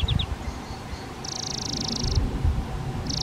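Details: Spotted flycatcher at a half-open nest box on the back wall of a garden shed, where parents fed flying insects to two nestlings of a replacement clutch; a long high buzzy rattle and brief ticks over low rumbling background noise.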